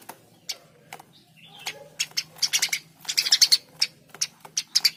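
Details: Eurasian tree sparrow chirping: scattered single notes at first, then faster clusters of harsh, high chips toward the end, with quiet gaps and a soft low hum.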